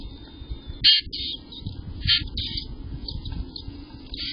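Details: Chickadee at its nest box in late May 2023, with five chicks in the nest: a few short, bright high chirps, one louder burst near the start and another a second later, then faint softer notes over steady low background rumble.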